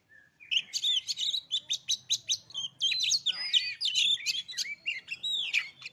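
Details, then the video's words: White-rumped shama song used to provoke birds into singing: a dense, continuous torrent of loud, varied whistles, rapid chirps and warbles, full and unbroken for several seconds. "PANCINGAN KACER DIJAMIN EMOSI"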